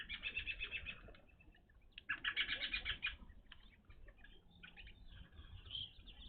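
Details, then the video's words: Evening grosbeaks gathered at a bird feeder: rapid runs of repeated chirps, about four per second, in two loud bursts, then softer scattered notes, with wingbeat flutters. "Evening Grosbeaks at bird feeder"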